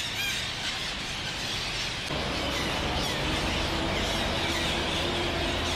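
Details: Red-breasted parakeets in a Singapore HDB housing estate give harsh, shrill squealing calls in a dense, overlapping chorus, with steady low urban rumble underneath.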